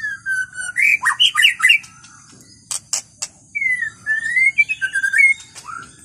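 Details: In the forest, a wild white-rumped shama sings loud whistled slurs and trills, then a couple of sharp clicks, followed by long drawn whistles that rise and fall.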